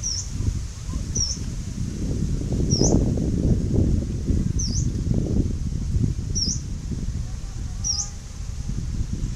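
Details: A Yellow-browed warbler (Phylloscopus inornatus), recorded 10 November 2018, gives six thin, very high, upslurred 'tsweest' calls, one every one to two seconds, over a steady low rumble of wind or distant traffic.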